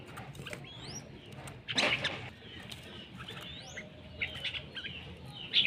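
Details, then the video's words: Red-whiskered bulbul, described as handsome and fierce. It gives short, clear whistled notes that sweep sharply upward in brief phrases, with a pause between them. A loud rustle or clatter comes midway, and a few more bright notes follow near the end. "Noog diab kaum lauj zoo nkauj khav heev"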